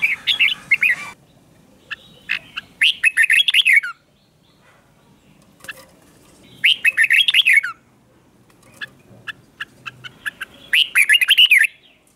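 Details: Morning training song of a red-whiskered bulbul, used to stir wild-caught birds: short bursts of fluty, rising-and-falling whistles, each about a second long, repeating every few seconds with quiet gaps between.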